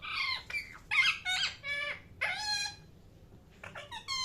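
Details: Parrot chirping: loud, harsh harmonic chirps and short squawks in quick, uneven bursts, some notes sliding downward, with brief pauses between groups and a faint background hiss.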